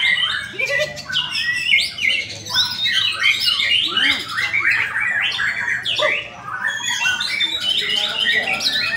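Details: Competition white-rumped shama at a latber bird-singing event in Indonesia. Rapid overlapping whistles, trills and harsh squawky notes pour out continuously, and a faint low hum runs underneath.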